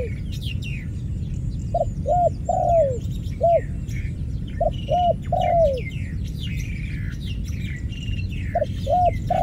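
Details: Steady dove cooing, phrases of two to three low hollow notes ending in a long sliding croon, repeated roughly every three seconds. Small birds twitter and whistle high above, over a continuous low hum.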